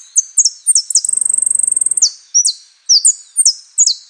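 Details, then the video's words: Saffron finch song in a style built from prio, golpe and pitada phrases: sharp, high, descending chipped notes, then a rapid even trill around the middle, then more spaced high chips. "JILGUERO AUDIO"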